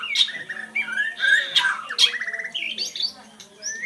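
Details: Oriental magpie-robin singing a varied, loud run of sweet whistles, sharp chirps and quick warbled trills that rise and fall, with brief pauses between phrases.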